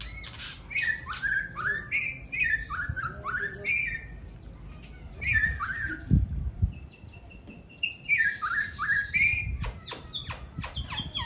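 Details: Two caged songbirds in a singing duel, trading their best learned song fills: rapid rising and falling whistled slurs repeated in quick runs, broken by a sharp buzzy rattle and scattered clicks and chips.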